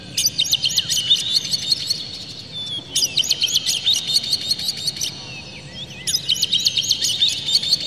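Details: Oriental magpie-robin in full, emotional song with tail fanned, used to stir other magpie-robins into singing: three long bursts of rapid, rattling high chirps and squeaks, each lasting about two seconds with brief pauses between.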